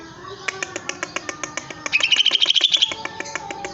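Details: Caged greater green leafbird in full song as it strikes the cage: steady dry ticking notes, about three per second, with a quick bright run of high whistled notes in the middle.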